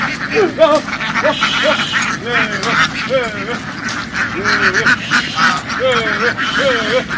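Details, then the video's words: Farm ducks in a field, dashing into water then back to land; a steady series of short, rising-falling quacks roughly every half second over dense flock noise. "The ducks ran happily into the water and quickly jumped ashore, making a loud noise in the field."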